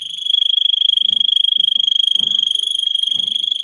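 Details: Singing Russian canary, song played to teach other canaries: a loud, fast, high buzzing roll held without a break, with soft low thumps underneath.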